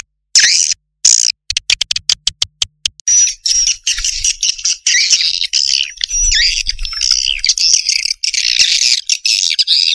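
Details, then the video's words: Swiftlets: dense, buzzy high chattering in rapid bursts, broken by short silences early on, then running almost continuously with a thin whistled tone over it. "SUARA WALET"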